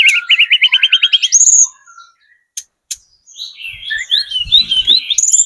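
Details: Lure song of a spotted Sunda robin meant to make other birds answer: a quick stepped series of bright whistled notes climbing at the start, a pause, then tumbling warbled phrases with soft low thumps.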